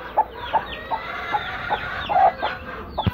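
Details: Two broody hens sitting together; steady short clucks roughly every 0.4 seconds, over a background of faint high falling peeping notes.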